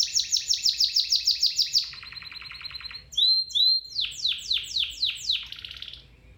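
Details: Domestic canary song for training other canaries: loud, rapid trilled rolls of repeated notes, a lower buzzy roll, two clear whistled notes, then a series of descending sweeping notes.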